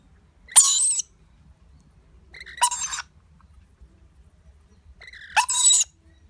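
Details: Lorikeet chick being fed by its parents, giving three harsh, rasping squawks, each about half a second long and spaced roughly two seconds apart, in an otherwise quiet setting.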